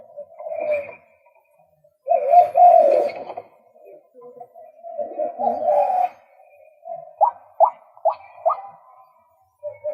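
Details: A male White-breasted Waterhen alternates rough grating croaks with quieter gaps, ending in a run of four sharp rising notes and a final short note.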